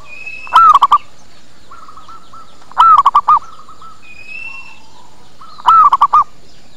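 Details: Zebra dove lure call for attracting doves: three cooing phrases of a long coo plus quick short notes, with softer answering coos and a thin whistle from another bird in between.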